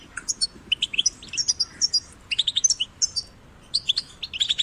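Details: European goldfinch chicks in a cage and outdoors, song meant to stimulate singing: sharp high tinkling notes and short warbled phrases, grouped chirps with brief pauses, light hiss behind.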